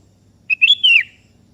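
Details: Sooty-headed bulbul, kutilang kebo type, singing lively to summon a rival: a single sweet whistled phrase of three linked notes, rising briefly then slurring downward.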